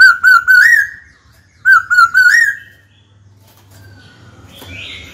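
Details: White-cheeked laughingthrush singing to call a rival to fight, kept caged: two matching phrases of three short whistles ending in a rising note, then quiet with faint low hum and a brief rustle.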